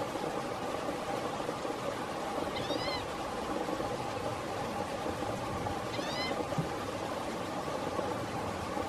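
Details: A Green-tailed Towhee, calling while preening in Blackwood Canyon, Placer County, California, on 29 August 2017, gives two soft, catlike mewing calls about three seconds apart over steady hiss and low hum.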